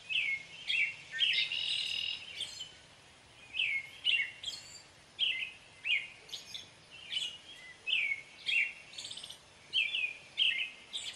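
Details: American robin singing: a run of short, clear, whistled caroling phrases, each slurred up and down, given in quick succession with brief gaps, over a faint steady hiss of background noise.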